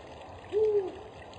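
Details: Spotted eagle-owl: the mate sings during a food delivery, the prey apparently a bird. One short, soft, low hoot, level and slightly arched, stands out over a steady background hiss.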